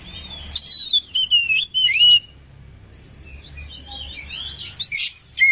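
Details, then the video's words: Combination song of an oriental magpie-robin, played to train other magpie-robins. A thin whistle opens, followed by a few loud buzzy, warbled bursts, softer rising and falling whistles, then a sharp final note. "SUARA KACER KOMBINASI AMPUH UNTUK MELATIH MENTAL KACER"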